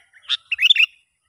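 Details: Sooty-headed bulbul in the wild, heard during a test using a young lure bird; one sharp chirp, then a quick run of four or five bright, slurred whistled notes rising and falling, with no background noise.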